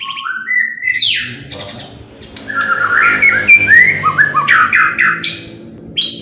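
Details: White-rumped shama song used to provoke other birds into singing: clear whistled notes stepping upward, then a loud burst of varied slurred phrases and rapid chattering notes, ending with a high rising whistle.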